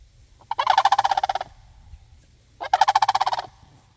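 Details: Sandhill cranes calling back in answer to a person: two loud, rolling, rattled bursts, each about a second long and roughly two seconds apart, with a low background rumble.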